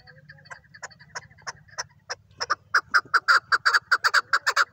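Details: Chukar partridge calling: soft, spaced clucks that grow louder and faster into a rhythmic series of hoarse chuck notes.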